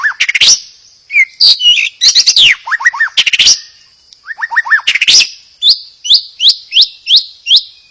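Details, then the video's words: Provoking song of a white-rumped shama, meant to stir other birds to sing: clear upslurred whistles, rattling bursts and a final run of evenly spaced, ringing rising notes. "Terapi murai pancing murai agar bunyi."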